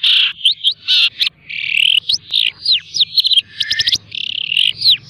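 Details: Caged long-tailed shrike, tutored with mp3 recordings, sings a packed mix of buzzy sustained notes, upslurred whistles and a fast rattling trill, full of varied imitation-like phrases.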